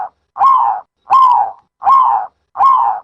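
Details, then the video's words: A dove gives four hoarse, hooting coos, each about half a second long, repeated at a steady pace of roughly one every three-quarters of a second. "Sound Of a Dove សំលេងសត្វ លលកដីយំ"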